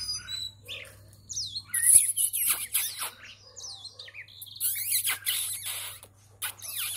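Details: Song of an Oriental magpie-robin: clear, sweet whistles with sweeping upward and downward slurs, interspersed with harsher scratchy high bursts, against a quiet background with a faint low hum.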